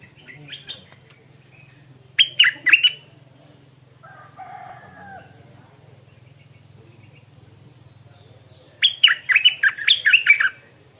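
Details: Stripe-throated bulbul singing in the morning, two bursts of rapid, bubbly chirping notes around the start and end, with a faint low hum and softer calls between.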